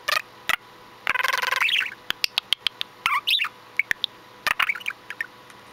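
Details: Pet budgerigar chattering while preening and bathing to beat the hot summer season, 7/10/15: a burst of warbled, buzzy chatter, then scattered squeaky notes and sharp clicks and taps between phrases.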